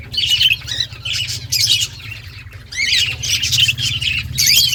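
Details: Australian budgies in a breeding colony, 2023: dense overlapping chattering and squawky warbles from many birds, in bursts with short pauses, over a low steady hum.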